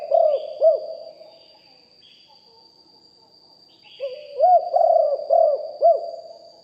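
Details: Spotted dove used as a decoy for calling wild doves, deep-voiced and recorded live: a pair of low arched coos, a silent gap of three seconds, then a phrase of four rounded, rising-falling coos over a thin steady high tone.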